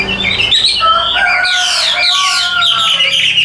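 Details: Caged hwamei offered by a bird seller, singing loud sweeping whistled phrases that slide up and down, mixed with scratchy high notes; a low steady hum runs beneath.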